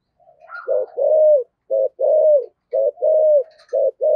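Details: Cu gáy, the spotted dove, in 'giọng thổ' style with rapid 'thúc gù' cooing: a soft rising lead-in, then low short-long coo pairs about every second, ending on a clipped note.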